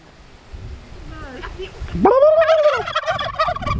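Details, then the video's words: Suffolk turkey calling: faint rising whistled notes, then a loud, strongly arched tonal call lasting under a second, followed by rough, broken, harsher sounds. "Talking 2 Suffolk Turkey"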